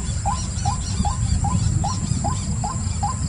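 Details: White-breasted waterhen repeating a sharp, upward-flicked note about every 0.4 seconds in a steady, even series, over a constant low rumble and a thin high-pitched whine.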